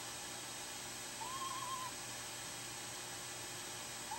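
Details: A female screech owl dueting with her mate, while nesting on five eggs in a nest box, gives a soft, even, mid-pitched tremulous note under a second long, another beginning at its end, over steady hiss.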